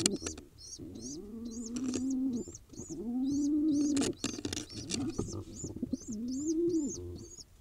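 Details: Loud begging by a hungry wild pigeon nestling in Israel as it is fed: fast, steady high peeps about four per second over long, low, rising-and-falling throaty warbles, with flapping and scuffling bursts.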